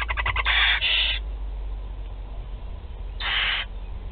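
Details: Feeding time for four barn owl chicks in Théding on 16 July 2020: quick ticking notes lead into a double harsh hiss, a pause, then another long raspy hiss.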